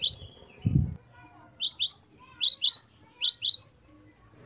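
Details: Great tit, known as gelatik batu, in 'wucit variasi' song used to teach captive songbirds: an opening whistle and a low thump, then a steady series of quick high two-note phrases.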